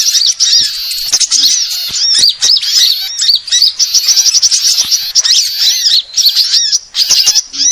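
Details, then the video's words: Lure recording of mixed sunbirds for attracting birds: a busy stream of sharp high tweets and quick rising-falling notes that overlap almost without pause, plus scattered soft clicks. "suara pikat semua jenis burung kolibri"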